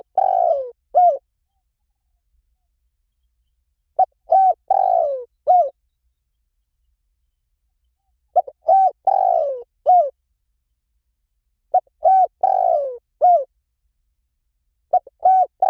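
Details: Spotted dove cooing: short phrases of several mellow, low coos, a longer slurred falling note among them, repeated about every four seconds with silent gaps between phrases.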